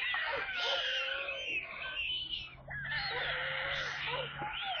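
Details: Stork chicks in a nest in Kaluga region, Russia, on 28 July, during a water delivery, give continuous harsh, wheezy, mewing calls that rise and fall in overlapping bursts, over a faint low hum.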